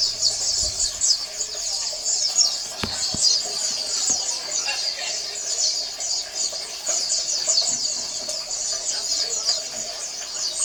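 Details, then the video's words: Dense chorus of Oriental white-eyes, high and thin with fast twittering runs and occasional clicks, intended as a colony sound that makes silent males start singing. "SUARA PLECI KOLONI AMPUH MERANGSANG PLECI MALES BUNYI"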